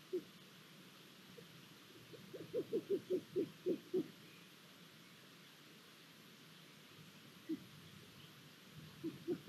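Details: Hungarian long-eared owls at the nest, 23 April 2022, with the male bringing food and a new chick present: a quick burst of low, clipped hoots, a lone note later, then another short run near the end.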